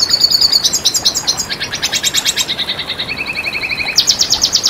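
Red siskin singing a fast, high twittering song of buzzy trills and rapid repeated notes, changing phrase roughly every second.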